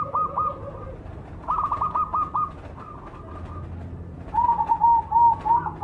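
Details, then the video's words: Black cemani zebra dove cooing: quiet runs of quick, clipped notes at a higher pitch, a pause, then a louder, lower bubbling phrase near the end, over background hiss. "suara burung berkutut cemani gacor mangung"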